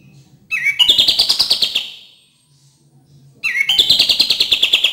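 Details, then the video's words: Two bursts of cream-vented bulbul song, used as therapy for birds that seldom sing: each begins with a rising whistle and breaks into a fast, ringing rattle of short chips, separated by about a second of quiet. "PANCINGAN DAN TERAPI KAPAS TEMBAK KURANG GACOR DAN MALAS BUNYI"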